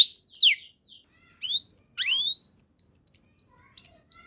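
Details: Canary singing as a lure for canaries that have gone quiet: sparse, well-spaced whistled notes, a steep downslur, then rising slides and short upward chirps repeated at steady intervals.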